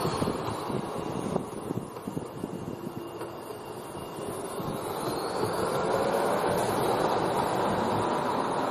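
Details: Gusty wind buffeting the microphone over a distant engine-like drone, growing louder toward the end; no animal voices.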